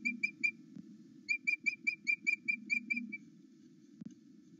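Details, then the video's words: Osprey on a live nest camera at Loch Arkaig pinewoods, morning between eight and nine, calling excitedly at its mate's return: a rapid run of sharp, high whistled chirps, briefly paused then resumed in a quick, uneven series. "Louis is so excited to have Aila back"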